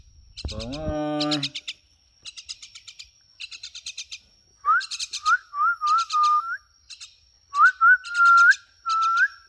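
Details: Common myna vocalizing near a person: harsh buzzy bursts repeated in quick runs, alternating with clear whistled notes that rise and wobble, after a short human voice at the start.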